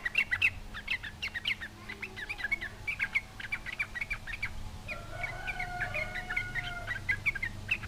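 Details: Lively sooty-headed bulbul provoking other bulbuls to answer; bursts of sharp chattering notes, then a steadier run of chirps over a faint drawn-out whistle-like tone.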